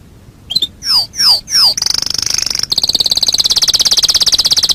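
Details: Canary singing on a master recording for training birds: three swooping downslurred whistles, then a bright fast trill giving way to a long, steady, evenly pulsed roll.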